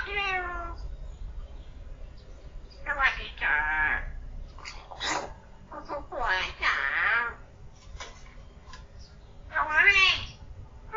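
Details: Pet common hill myna under a year old, talking: a string of speech-like syllables with clear voice-like tones and sliding pitch, spaced by short pauses, over a low indoor hum.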